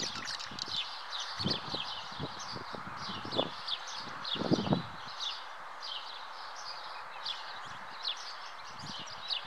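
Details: Common house martins (Delichon urbicum) at the nest keep up a regular string of short, high, buzzy chirps, with loud low thuds and rustles clustered early on.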